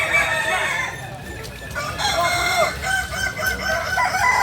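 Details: Native Kukuak Balenggek rooster from Solok, West Sumatra, giving a drawn-out crow broken into several uneven segments, with hoarse harmonics and background noise throughout.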